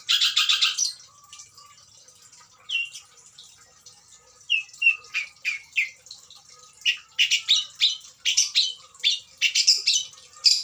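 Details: An adult Long-tailed Shrike, kept as breeding stock, delivers imitation-rich song. A harsh rasp opens, followed by a pause and then rapid chips and whistled notes that quicken into a fast, irregular chatter.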